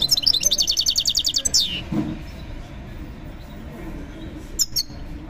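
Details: European goldfinch in a bird market: a fast run of bright, tinkling twittered notes for about a second and a half, then a gliding slur, with a brief twitter near the end over constant low market murmur and voices.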